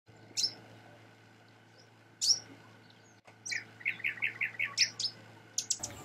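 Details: A Marico sunbird (Cinnyris mariquensis) in Gisenyi, Rwanda, in March 2013, gives sharp, high tsip notes, then a quick run of about six bright chipping notes, over a steady low hum.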